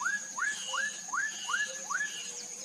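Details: Black-headed mockingbird (black-capped donacobius), a pair-living bird of South American swamps and wet meadows: six rising whistled upslurs, repeated roughly every 0.4 seconds, over a steady high hiss.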